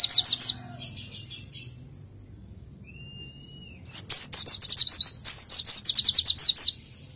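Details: Oriental white-eye song used for tutoring: quick high slurred notes, then a quiet stretch with a soft buzzy chatter and a thin whistle, followed by a long run of rapid, evenly repeated downslurred whistles.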